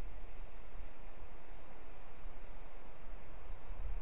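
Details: Muffled outdoor rumble and steady low hiss with no calls or song from any animal.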